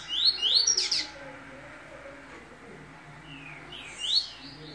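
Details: Moulting double-collared seedeater of the Família Sertão line sings short runs of fast, high, upward-sweeping chirps, one burst at the start and another near four seconds, with a quiet gap between.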